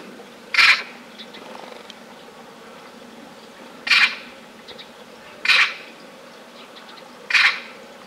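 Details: Grey heron at a small, very low pond in central France on 21 December 2017, giving four harsh, rasping croaks, short and noisy, spaced unevenly a couple of seconds apart over a low, steady background hum.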